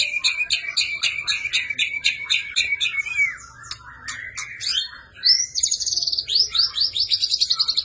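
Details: Caged white-rumped shama's energetic, emotional fighting song, used to train and shape other caged birds: fast series of sharp high notes repeated about four per second, then varied whistled phrases and rapid buzzy trills near the end.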